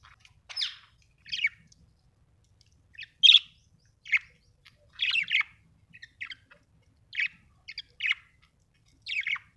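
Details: Home budgerigars giving scattered, harsh chirps and squeaky notes at irregular intervals, about one every second or so, in otherwise quiet surroundings.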